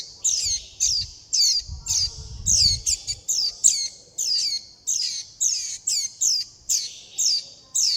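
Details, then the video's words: Warbling white-eye chicks beg for food and call the flock with a continuous chorus of high, downslurred squeaks, nearly two per second, with a short low rumble midway. "Tiếng chim vành khuyên non gọi mẹ - gọi bầy - đòi ăn"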